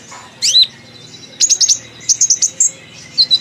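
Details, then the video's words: Sunbird, called kolibri ninja, in chattering song: scattered bursts of thin, high, sharp chirps and quick descending slurred notes, delivered in short rapid clusters separated by brief pauses. "Kolibri Ninja||Konin ceriwis isian keluar"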